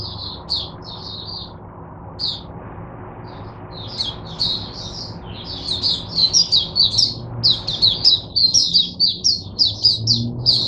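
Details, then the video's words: Oriental white-eye kept as a teacher bird for other caged white-eyes, 22 January 2022: scattered high chirps build into a dense, fast twittering song with rhythmic pulsing notes near the end, over low background hum. "Mata Puteh Diva Sunday buka sing teacher bird for my other mata putehs"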